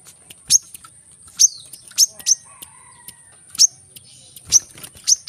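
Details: Brown-throated sunbird, locally kolibri kelapa or manggar, in energetic gacor form, recorded to coax quiet birds into singing: sharp, very high, thin chips spaced unevenly, some in quick pairs, over a steady faint high hiss.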